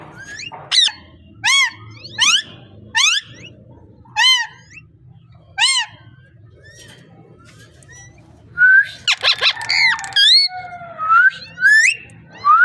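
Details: Parrot calls: a spaced series of single harmonic chirps roughly every second, then a busier burst of raspy, speech-like notes and rising whistles, above a low background hum.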